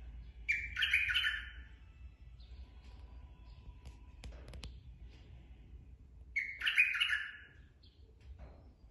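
Two loud, rich bubbling phrases of straw-headed bulbul song, about six seconds apart, over a low steady hum and faint background noise.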